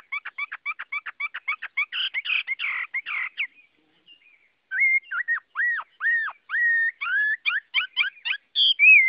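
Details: Chinese hwamei song: a quick train of about a dozen short repeated notes, then after a brief pause loud whistled, slurred and down-curving phrases delivered in rapid succession, with no other sounds.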